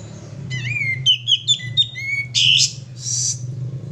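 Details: Male sooty-headed bulbul song used as a lure: a rising whistled slur, then a quick run of four bright chirping notes, a final rising whistle, followed by two harsh scratchy bursts; faint low hum underneath.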